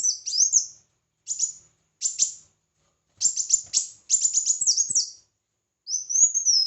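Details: Competitive singing by a red-whiskered bulbul: short bright whistled bursts separated by brief silences, a rapid cluster of chirping notes midway, ending with a longer gliding whistle.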